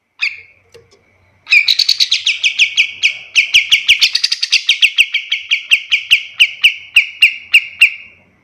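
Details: Kapas tembak recorded as a master song for teaching other birds: a sharp opening note, then a long fast run of bright, buzzy chattering notes repeated steadily, about three per second, in a quiet setting.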